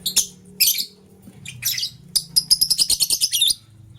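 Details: Morning lovebirds, green and blue, with the blue one scrambling for vegetables; a few scratchy high calls, then a fast run of about a dozen rapid chirps over a low background hum.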